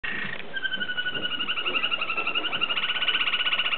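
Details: American Singer canary, a Canadian cup-winning champion, singing a continuous fast trilled roll. Rapidly pulsed notes are held on two steady pitches, with the rolls growing louder toward the end, over a low indoor background murmur.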